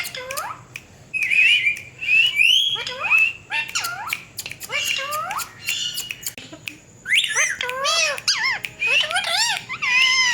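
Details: Indian ringneck parakeets, pet talking parrots said to imitate a cat's voice, give a busy run of sharp harmonic squawks, short rising and falling whistled chirps and clicks, louder and denser in the last three seconds.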